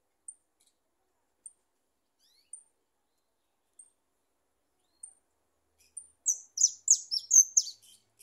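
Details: European goldfinch (Carduelis carduelis), song.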